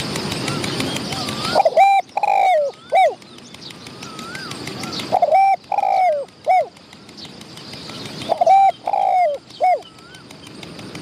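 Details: A wild spotted dove comes in to a decoy and shows off its medium-pitched cooing nearby. Three phrases arrive about every three seconds, each a brief coo, a drawn-out coo and a falling coo, with a soft whistled note between them.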